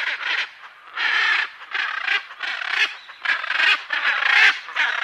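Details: Macaw giving loud, harsh, raspy squawks, each about half a second long, in an uneven series of about six calls with short gaps between them.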